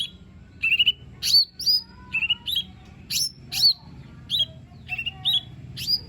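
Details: Lesser green leafbird singing to encourage a reluctant bird: sharp rising whistles and doubled slurred notes in quick phrases, with faint low tones and background hum.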